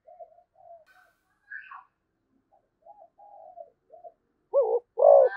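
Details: Zebra dove (cu gáy Malaysia) cooing. Soft scattered low coo fragments and a brief higher note give way at the end to two loud rolling, quavering coos.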